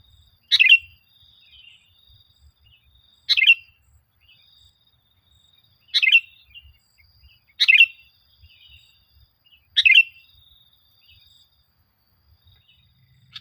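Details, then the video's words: Sooty-headed bulbul song used as a lure to get caged bulbuls singing and build their confidence: five short, bright, chattering bursts, each under half a second, spaced about every two and a half seconds, with near silence between. "Suara Burung Kutilang Gacor, full Suara Pancingan Kutilang"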